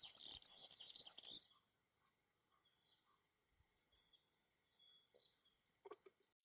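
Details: European serin singing in a tree in summer: a dense, very high, buzzy jingling burst lasting about a second and a half, then near silence with faint distant chirps and a brief low thud near the end.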